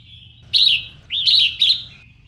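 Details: Female red-whiskered bulbul singing to excite males: three loud, clear whistled phrases, each slurred and slightly wavering, following a faint steady tone, over low background hum.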